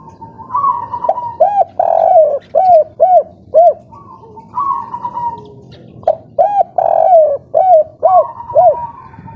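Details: Local spotted dove singing kuk 3 style while in breeding mood. Two phrases are heard, each a lengthy low coo followed by a run of four or five brief, rounded coos, the second phrase starting just after six seconds.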